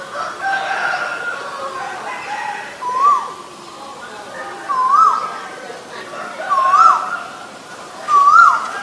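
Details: Asian koel calling: clear whistled notes, each sliding upward then dropping, given four times at intervals of roughly two seconds, over a busy background of other birds.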